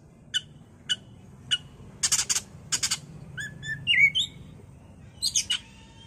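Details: Oriental magpie-robin singing in a lure recording meant to excite a bird into song. It starts with three evenly spaced sharp chips, then dense rattling bursts. Short pure whistles and a bright rising slur follow before closing harsh notes.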